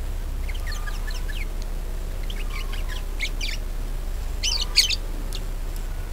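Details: Budgerigar song used to lure other birds into singing: scattered thin chirps and ticking notes that build into two louder, sharper bursts near the end, over a steady low hum.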